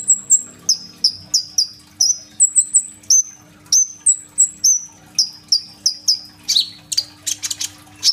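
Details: Active sunbird song with imitated phrases, captured on an Oppo A37f: long run of shrill descending whistles in rapid pairs, ending in a burst of harsh, buzzy, chattering notes.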